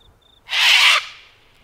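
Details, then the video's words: Sulphur-crested cockatoo at Mt Coot-tha in Brisbane, Queensland, recorded 6 November 2022 with a Canon R7; one loud, harsh, raspy screech lasting about half a second, with a fading tail and quiet surroundings. "Sulphur-Crested Cockatoos at Mt Coot-tha"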